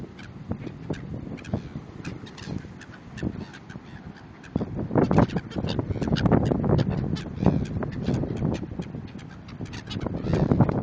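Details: Hungry seagulls in Cape Town, South Africa: a flock of harsh, squawking calls, overlapping and irregular. The calls are quieter at first and grow louder and denser after about four and a half seconds.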